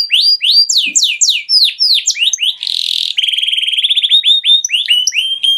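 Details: Canary song for teaching young canaries: sweeping downslurred whistled notes, a short harsh buzz, then a very rapid even trill giving way to chopped upslurred phrases, unbroken throughout.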